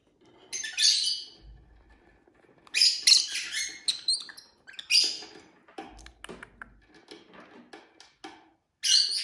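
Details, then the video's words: Five pet lovebirds singing, chirping and fighting: busy, uneven stream of scratchy high chirps and twitters with soft rustling and low knocks between bursts. "Lovebird Craziness (singing & chirping & fighting sounds)"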